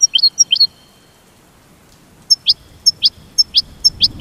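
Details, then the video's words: Goldfinch giving high, sharp paired chirps: two quick notes, a pause of nearly two seconds, then a steady run of bright slurred chirps roughly every half second, each led by a thin ringing tick. "The Enchanting Goldfinch Song"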